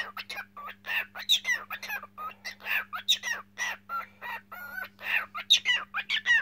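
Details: Singing pet cockatiel: rapid, continuous chatter of scratchy chirps mixed with clear whistled slides and flat tones, steady hum in the background.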